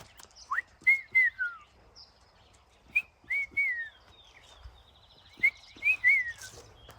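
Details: Olive-sided Flycatcher, an uncommon passage migrant here, gives its whistled "quick-three-beers" three times about every 2.5 seconds from farm woodland on a clear, calm late-May morning (27 May 2023, about 15°C). Each is a short pip, then a high note sliding down, with faint chirps of other birds.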